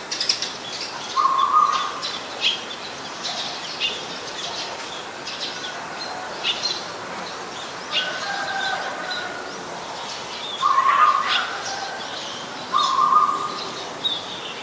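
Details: Eurasian Tree Sparrows, a very common resident, give a busy stream of short, bright chirps, several birds overlapping, with a few lower, flatter notes every few seconds; Ubon Ratchathani, Thailand, 10 May 2020.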